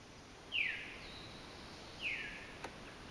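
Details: Veeries calling at Sosebee Cove, more than one bird present: two clear downslurred 'veer' notes, each falling sharply in pitch, about one and a half seconds apart, over a faint steady background hiss.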